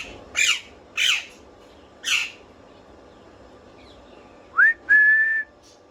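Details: Pet parrot giving three harsh squawks about a second apart, then after a pause a rising whistle sweeping upward and a long, steady, pure whistle.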